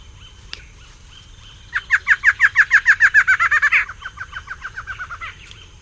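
Barred antshrike pair duetting: a fast, accelerating series of about seventeen nasal hooting notes ending in a higher note, with a thin steady whine from other birds behind.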